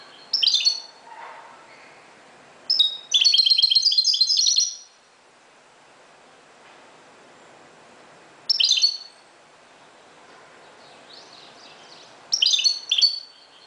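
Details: Moroccan goldfinch at dawn: separated bursts of high twittering, one longer jingling phrase, with quiet gaps and faint background noise between.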